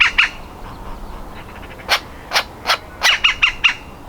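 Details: Baby woodpecker about to fledge, pushing to leave its nest cavity: scattered harsh notes, then a quick cluster of three or four clipped calls near the end.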